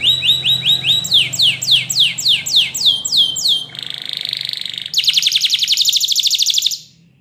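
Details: Spanish Timbrado canary song for training canaries: a high rattling trill leading into repeated falling whistles, then a lower buzzy roll and a loud, fast metallic trill before fading out.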